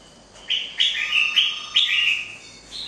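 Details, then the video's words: Red-whiskered bulbul, a wild-caught bird, singing a quick warbled phrase of about six lively whistled notes, bouncing up and down in pitch, delivered in under two seconds, then a final short note. "Chào mào bổi"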